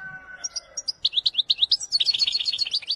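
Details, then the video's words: Wedani goldfinch song: a rapid, continuous stream of bright, tinkling twitters and short slurred notes with a steady bouncing rhythm, opening over a faint low tonal hum. "أقوى تغريد الحسون الويداني"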